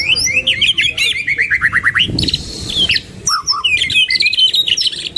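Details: Two white-rumped shamas in full voice, a training recording rich in varied song fillers: fast runs of rising and falling whistled notes, rattling trills and harsh buzzy bursts that switch pattern every second or so.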